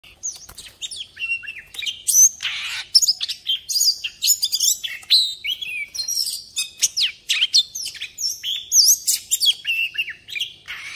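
Oriental magpie-robin singing a rich, fast stream of clear whistles, sweeping slurs and sharp chips, high and varied throughout, with no other sounds.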